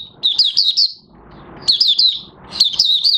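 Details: Oriental white-eye taking up song after moult, 30 August 2022; three quick bursts of five or six high, sliding chirps about a second apart, faint low background noise between them.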